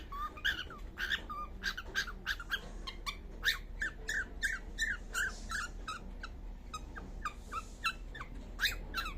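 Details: Baby cockatiel sounding off while asleep: a steady run of short harmonic chirps, slightly rising then dropping, about three per second with uneven spacing, over a quiet room hum.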